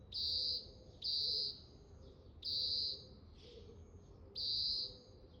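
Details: Oriental greenfinch calling over and over. Four loud, high, level, drawn-out nasal notes, each about half a second long and roughly one to two seconds apart, with faint chirps and a quiet outdoor background.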